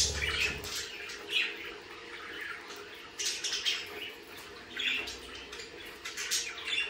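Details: Budgerigar chatter made of scratchy, buzzy bursts and thin chirps in loose clusters, separated by brief quieter gaps, over a faint steady low hum.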